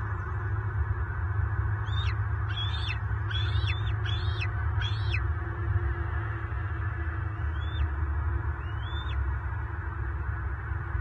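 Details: Male bald eagle raising eaglets alone, calling as an intruding adult eagle pursues him, Southwest Florida, March 24, 2023. A quick burst of about five high whistled notes, a pause, then two softer rising notes, over a low rumble.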